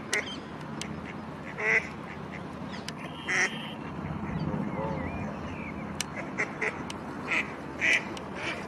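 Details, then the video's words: A female Mallard at a lakeside bathing beach in Ludwigshafen am Rhein, Germany, gives loud, nasal quacks, singly and in short pairs, spread over a few seconds against a steady outdoor murmur. "Mallard Duck Female calling / Stockente Weibchen am Quaken"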